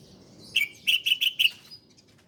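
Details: Ciblek Koya, or bar-winged prinia, on a cage-bird training master: a short phrase of five loud, clipped chirps in quick succession, then quiet.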